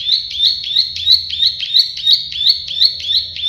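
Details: Steady, even series of rasping buzzy 'klik' notes from a plain prinia, called prenjak sawah, about three per second, loud and close, faint low hum underneath.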